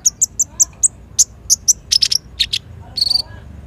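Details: Kolibri ninja (konin) sunbird singing energetically, used as a lure and master song for training young birds; sharp high chirps repeated in quick series, then a short buzzy rattling trill near the end.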